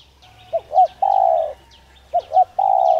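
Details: Spotted dove coo to encourage doves to call: two short hoots and a long sustained coo, repeated twice, with small birds twittering higher and a low hum.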